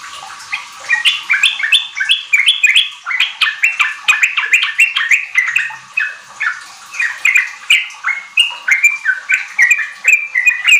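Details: Lengthy sooty-headed bulbul song sequence meant to spur young group-kept bulbuls into fast ropel singing. After a quiet start, rapid, chattering, liquid notes build and continue nonstop for about ten seconds.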